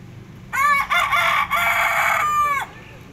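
A rooster gives one loud, harsh crow about two seconds long, rising in short bursts and then holding a strained, ringing note before it drops away.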